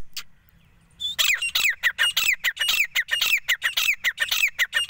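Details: After a second of quiet, a grey francolin (labelled both male and female calling) gives loud, harsh, shrill notes, repeated rapidly about twice a second in an insistent series.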